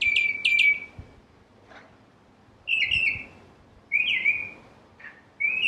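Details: Northern cardinal with spaced whistles: a quick doubled note, then single rising-and-falling slurred whistles every second or so, against a soft background with faint low knocks.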